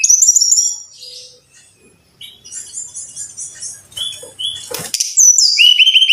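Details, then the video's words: A Brown-chested jungle flycatcher, played as a lure recording to prompt caged birds to sing, sings a high, varied song of sweet whistles, buzzy trills and quick chirps, with a brief quiet pause midway. "Suara Burung (SIKATAN RIMBA DADA COKLAT)"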